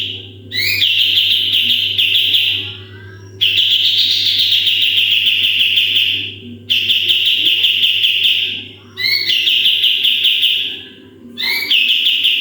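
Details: Sooty-headed bulbul in loud 'tembakan' shooting-style song for training other birds: upswept notes launch long, rapid, buzzy trills lasting two to three seconds each, five bursts separated by short pauses.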